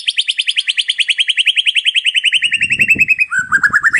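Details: White-rumped shama in energetic full song, used as a lure song: a rapid trill of about thirty sharp, evenly spaced notes slowly falling in pitch, then a lower warbled phrase, with faint low rustling near the end.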